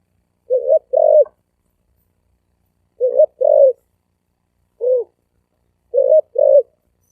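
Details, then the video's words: Thổ ồm vang cooing of a spotted dove: hollow, low coos in short-long pairs, interspersed with one lone coo, repeating roughly every one to two seconds in an otherwise quiet setting. "Tiếng chim cu gáy thổ ồm vang gáy gù siêu tốc siêu nhanh"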